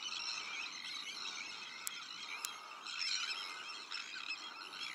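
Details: Sandwich tern breeding colony, also home to black-headed gulls, arctic terns and common terns; an unbroken chorus of shrill, grating calls, punctuated by two sharp clicks early on.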